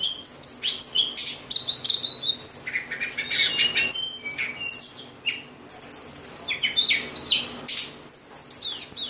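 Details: White-rumped shama in full song: fast, varied high whistles, downslurred notes and sharp clicking elements strung together in dense, continuous phrases with brief gaps.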